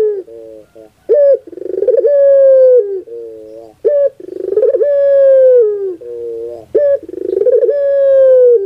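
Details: Lure song of a puter pelung dove for stirring a reluctant bird into song: deep coos repeated about every three seconds, each a brief note, a throbbing rolled section and a long sustained tone that slowly falls at its end.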